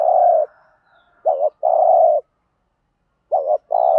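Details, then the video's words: Spotted dove giving a standard 'thúc gù' lure song, used to provoke wild doves into cooing back: a sustained low coo, then twice a quick double-noted coo followed by a long steady coo, about two seconds apart. "tiếng cu gáy THÚC GÙ bài bản/ chim cu gáy giọng bài bản giúp bổi ức chế và gáy theo"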